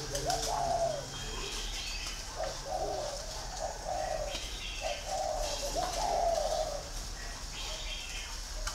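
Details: Green pigeon calling: series of low hollow whistled notes, each phrase a short rising-falling coo repeated several times with gaps, over steady background hum and faint distant sounds.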